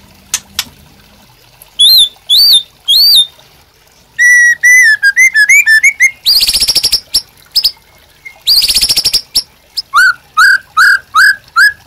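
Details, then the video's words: White-rumped shama master song for caged-bird training: paired arched whistles, then fast cascades of clear whistled notes, two long high buzzing trills, and a closing series of repeated down-slurred whistles about every half second. "MASTERAN MURAI BATU GACOR AMPUH UNTUK PANCINGAN DAN MASTERAN MURAI BATU JADI GACOR"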